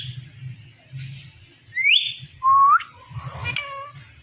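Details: Green talking parrot, an Indian ring-neck said to say mummy papa, gives a rising whistle and a loud upward-sliding note, then a rough spoken-sounding syllable. A low hum runs underneath.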